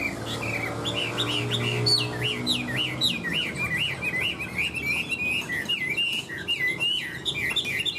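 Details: Chinese hwamei singing tirelessly, repeating looping, wavering whistled notes in a steady rolling series, with a low hum beneath during the first seconds.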